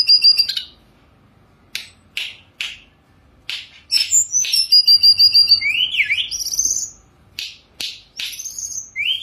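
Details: Caged Sunda robin on its perch giving spaced sharp high notes, then a quick burst of buzzy trills and looping rising-falling whistled slurs as part of a richly varied song.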